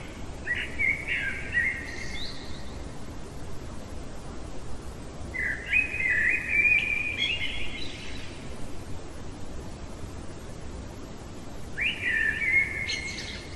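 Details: Blackbird singing deep in the night: three rich fluted phrases spaced about five seconds apart, each starting low and warbling upward, some tipped with faint high twitters, over constant low background noise.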